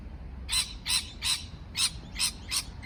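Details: Parrot making loud, grating, noisy chirps about every third of a second in a brief burst.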